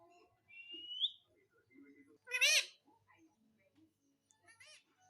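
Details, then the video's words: Pet parrot talking and asking for roti; a thin rising whistle, soft low mutterings, then a loud raspy harmonic burst, followed by quiet chatter and a faint closing note. "मम्मी मिट्ठू को रोटी दो _ Parrot Talking Everything"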